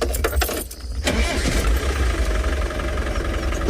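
On a sunset safari at Tswalu on 3 February, a vehicle engine rumbles and idles steadily with deep low-pitched noise and brief clatters. No animal calls can be heard.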